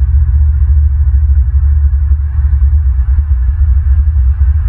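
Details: Loud electronic music with a heavy throbbing bass beat and no animal voices.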